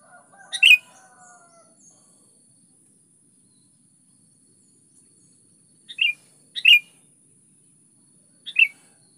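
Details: Sooty-headed bulbul lure song in 'gacor' style: softer, clipped single chirping notes scattered through the stretch, one louder burst at the start followed by three shorter notes later.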